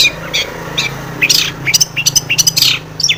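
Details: Long-tailed shrike in full-fill song, used to provoke agitated singing: a jumbled rapid series of harsh, high chattering notes and short whistles with uneven spacing, over a constant low hum.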